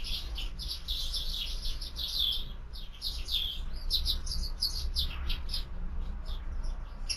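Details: Several sparrows at a feeder during an afternoon feed chirp in a busy, overlapping chatter of short bright notes, several per second, over a low steady hum.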